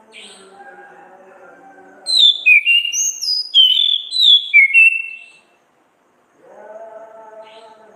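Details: Orange-headed thrush delivering a burst of loud whistled song, ngeplong and ngriwik style, meant as a tutor recording: about three seconds of varied slurred high notes, framed by a low droning tonal hum before and after.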